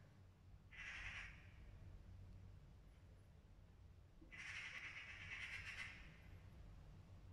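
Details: An angry magpie gives two bursts of harsh, rapid chattering, the first about half a second long and the second a longer rattle lasting over a second, against a steady low background rumble.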